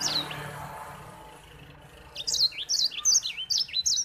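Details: Grey singing finch (white-rumped seedeater) sings a quick, high, canary-like run of sweet twittering phrases, each a brief rising-and-falling slur repeated several times a second, after a faint opening whistle.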